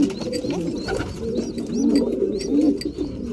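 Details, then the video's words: Mealtime among breeding pigeons: soft low coos pulse steadily while thin, upward-slurred high chirps and light clicks sound over them. "Breeding pigeons / mealtime"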